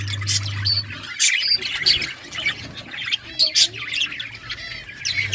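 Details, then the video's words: Budgies kept for breeding chatter in scratchy squawks and quick warbled chirps, bursts coming irregularly with several louder peaks, a low hum starting and stopping in the background. "Budgies breeding progress | Birds chirping sounds"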